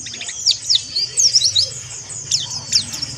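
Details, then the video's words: Harsh, rapid twittering from a white-eye, meant as stimulation for other white-eyes: bursts of thin, very high, sliding chirps with short gaps and faint low background noise. "PLECI MONTY NGERIWIK KASAR COCOK BUAT TERAPI PLECI"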